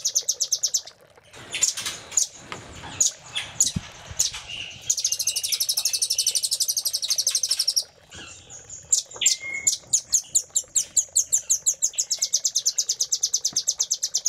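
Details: Velvet-fronted nuthatch recording in the Cililin fill style, meant as master song for caged birds: irregular high chips, a three-second rapid buzzing trill, then a quick train of sharp, high repeated chirps.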